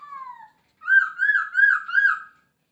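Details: Masked laughingthrush giving a soft falling whistle, then a loud wavering whistled phrase of four undulating notes, in 'gacor' singing form.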